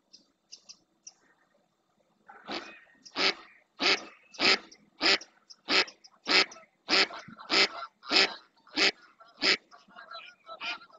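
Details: Insistent calling by a female mallard in the Doñana marshes, Spain, as other ducks draw near: a steady run of about thirteen loud, raspy quacks roughly two-thirds of a second apart, after a few faint notes at the start.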